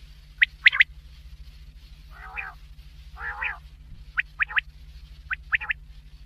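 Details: Black francolin call: a couple of sharp high notes, two drawn-out grating, buzzy phrases, then clusters of quick clipped notes, all set against a faint continuous low hum.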